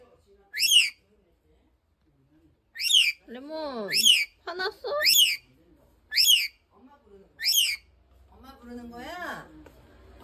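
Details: Caged rainbow lorikeet trading whistles with a person indoors: six short bright whistled bursts, interleaved with lower swooping human whistles and talking near the end.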